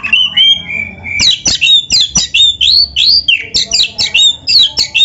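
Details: Kacer (oriental magpie-robin) in full song, played as a lure to get other kacer birds singing: loud, fast, varied phrases of looping whistles and sweeping notes, nearly continuous and repeated several times a second over a low hum.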